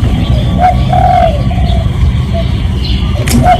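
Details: Lure call of a spotted dove, used to draw in other doves: one soft coo phrase with a short opening note and a drawn-out mellow coo, then fading notes. A sharp high chirp comes near the end over constant low noise.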